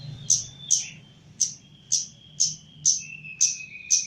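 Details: Javan Chestnut-capped laughingthrush kept for training sings eight crisp high chips at a steady pace of about two per second, linked by a long thin level whistle that gradually drops lower; faint low hum in background.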